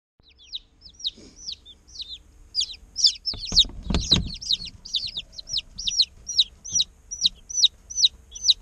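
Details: Day-old chickens in an incubator, chirping steadily: many high, descending peeps repeated about twice a second, growing louder and denser toward the end, with a brief low thump near the middle.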